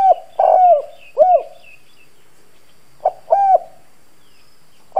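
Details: Decoy spotted dove in the husky 'giọng đồng' voice, cooing to provoke wild doves; low, mellow hoots in two phrases with a pause, while faint higher chirps from other birds sound in the background.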